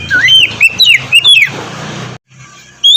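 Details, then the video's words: White-rumped shama singing as morning therapy for a reluctant singer: a quick series of clear, swooping whistled notes over a steady low hum, then a brief pause and a final high whistle. "terapi pagi cocok untuk mancing kacer malas bunyi agar cepat gacor"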